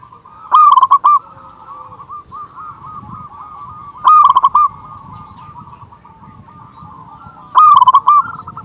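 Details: Local zebra dove with a big voice, used as a lure. Three loud bursts of rapid, bubbling cooing notes arrive roughly every three and a half seconds over steady softer cooing from other doves.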